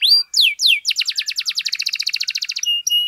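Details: Vigorous canary song meant to stir up other canaries: three loud descending whistled sweeps, then a rapid even roll of about thirty clipped notes, ending with two short level whistles.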